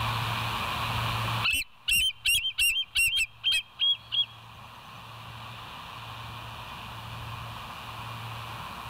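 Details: West End bald eagle, filmed by a live camera on the morning of 28 August 2023 at 07:02. After a hushed start, a loud burst of about eight sharp, squealing whistled notes comes in quick succession, then low humming background remains.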